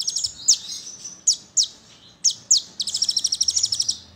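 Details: Brown-throated sunbird song played to prompt other sunbirds to sing. Sharp high downslurred squeaks spaced irregularly, followed by a long, rapid, metallic trill of high notes.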